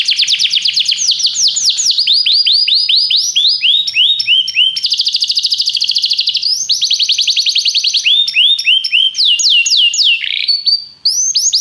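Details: Canary singing for training, aimed at making a canary sing a lot; continuous varied song of rapid sliding-note trills, changing tempo and pitch from tour to tour, with fast buzzy rolls.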